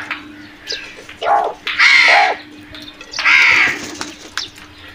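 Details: Crows at food give two loud, drawn-out harsh caws, with fainter calls and clicks between them.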